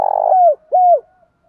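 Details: A spotted dove call meant to provoke fighting in training decoy birds: a long rough coo and then a clear, smooth, falling coo, then silence.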